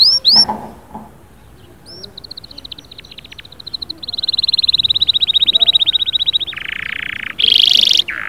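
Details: Canary song with a couple of sharp whistled notes, then a long, rapid, fine trill that grows louder, shifting to lower buzzy rolled tones and a bright sustained trill; faint low murmuring sounds early on.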